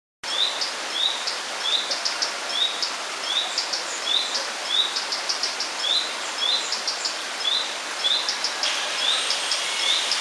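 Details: Common redstart with its chicks in Romania, 1 June 2013: short upslurred whistles, roughly one every two-thirds of a second, mixed with sharp higher ticks over a steady hiss of rain or running water.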